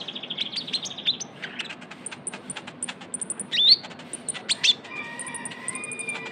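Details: Young Javan white-eye used as a lure sound: rapid high thin chirps and short whistled notes tumbling over each other, some rising slurs near the middle, with a faint steady tone in the background.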